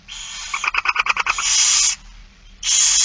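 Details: Barn owl begging at a feeding, recorded 8 September 2019 at 16:02: long harsh hissing screeches, broken by a quick run of about eight clipped, rasping pulses, then a pause and another loud hiss.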